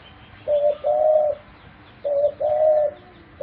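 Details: Pet dove cooing: two low, hollow coo phrases, each a short note followed by a longer steady one, roughly two seconds apart, over a quiet background.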